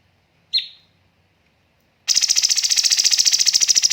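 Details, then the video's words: Cucak cungkok on a bird-training master recording: one sharp downslurred whistle, a pause of over a second, then a dense rapid-fire buzzy rattle of evenly pulsed notes that runs to the end. "BURUNG CUNGKOK MASTER SEMPURNA JEDA & RAPAT TEMBAKAN"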